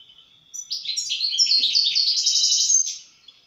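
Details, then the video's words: European goldfinch singing: a fast, tinkling, jumbled twitter of high chirps and short trills, rising in volume after a brief thin note, then fading. "استمتع مع طائر الحسون"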